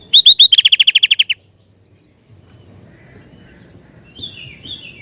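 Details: Sooty-headed bulbul in lively, responsive song: three clear rising whistled notes, then a fast even run of about ten sharp chirps. A long quiet follows, with faint bird notes near the end.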